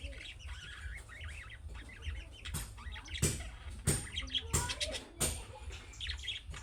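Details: Budgerigar calls, described as the calling chirps of young birds that prompt other budgerigars to answer: quick wavering warbled chirps early on, then sharp clicking and tapping sounds over a low steady hum.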